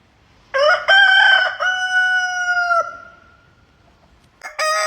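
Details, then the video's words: Rooster crowing: one long harmonic cock-a-doodle-doo with a rough opening and a steady held tone lasting over two seconds, followed by silence and the start of a second loud crow at the end. "Rooster crowing 🐓 sound effect"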